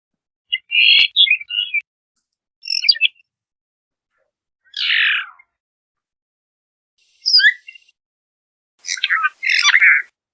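Phainopepla giving five short, high, slightly burry call notes spaced about two seconds apart, some chattering, one a brief rising slur; nothing else is heard.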